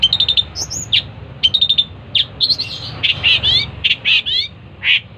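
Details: Long-tailed shrike song of quick high chirps in short bursts, then scratchy rising and falling notes and sharp downward-slurred calls, irregularly spaced, with faint low background hum.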